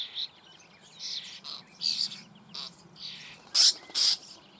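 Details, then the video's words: Young common starlings being fed inside a breeding hole in the Eifel near Büchel, Germany: short scratchy, wheezy begging bursts repeated irregularly, about two per second, some louder and sharper, with faint low background hum. "Star füttert Junge in Bruthöhle"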